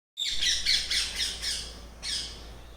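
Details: Parrots arriving in the early morning from nearby trees for their daily feed at a home, giving a series of harsh, loud squawks in quick bursts, about five in two seconds, over a low steady hum.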